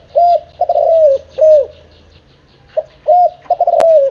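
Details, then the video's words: A seven-month-old spotted dove utters a run of low arched coos, some short and some drawn out, in uneven bursts with a brief pause midway; faint higher chirps behind. "Tiếng chim cu gáy,gáy kích bổi ,nghe là gáy"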